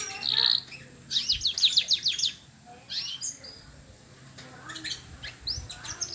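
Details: Canary opening with a long buzzy note, then a rapid series of sharp repeated chips, followed by softer scattered whistles and a few rising notes near the end.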